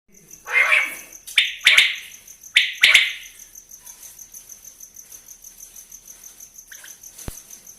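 A quail gives a few harsh, raspy bursts, two pairs in quick succession, over a steady high-pitched insect trill.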